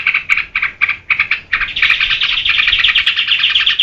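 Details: Lively yellow-vented bulbul singing as a lure and model for other birds. Short bursts of chirps separated by gaps, then an unbroken, rapid, buzzy chatter carrying to the end.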